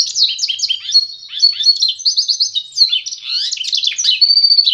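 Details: Goldfinch mule, a canary × goldfinch hybrid, sings a fast, unbroken twittering song of high, liquid trills, chirps and short buzzy notes, with no other sounds.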